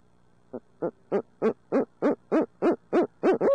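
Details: Barred owl, part of an urbanized pair in Midtown Tulsa, building a rapid series of about eleven hoots, three per second, each louder than the last, cut off as a longer note begins.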